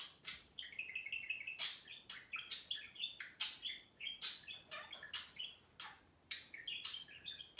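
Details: Caged pet budgies in playful back-and-forth chatter, a dense run of chirps, squeaky warbles and quick rising whistles with a few louder bright notes, continuing almost without pause.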